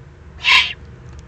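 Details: Juvenile Eurasian eagle-owl, excited, begging in the German Eifel on 21 June 2020: one loud, breathy screech of roughly a third of a second, standing out clearly against quiet low-pitched background noise.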